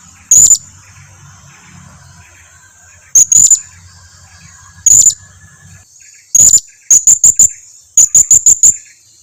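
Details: Lure sound of a blue-crowned hanging parrot, played so other hanging parrots reply: thin, very high, sharp notes, single ones about three seconds apart, then quick clusters of three and four, over a faint low hum and steady high whine.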